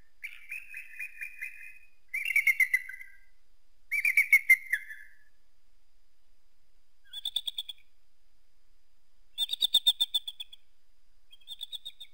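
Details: Eagle calling: drawn-out whistled notes near the middle of the range in short bursts, then higher, thinner piping series, each burst lasting about a second with pauses between.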